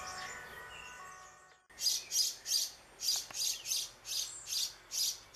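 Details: A young European pied flycatcher in a backyard on 7 June 2013, calling for a parent: hissy, high begging calls about three times a second after a short opening of steady tonal sound.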